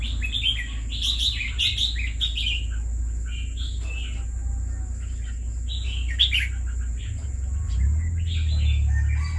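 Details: Caged red-whiskered bulbul, kept for two years, sings bright, quick whistled phrases in bursts, with short pauses between clusters of notes. A steady low hum and a faint high-pitched tone run underneath throughout.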